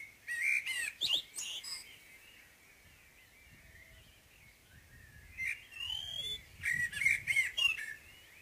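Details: Common blackbird morning song: two fluty, warbling phrases, the first ending in a high squeaky twitter, the second in several bright, rising flourishes, separated by a few seconds of quiet.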